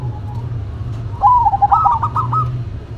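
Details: Zebra dove duet, local bird against a cemani: a faint coo, then a clear rolling phrase of quick bubbling notes that climbs slightly and ends in staccato beats, over a low steady hum.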